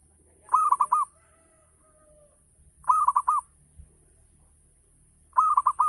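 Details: Ngayer-style song of a local zebra dove, meant to provoke other doves into singing: rolling four-note cooing phrases repeating roughly every two and a half seconds, with a faint soft tone between the first two.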